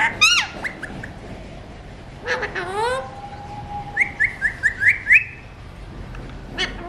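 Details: Talking Alexandrine parakeet named Jenny gives a few speech-like, rasping phrases that rise and fall, then a quick run of six sharp, repeated chirps.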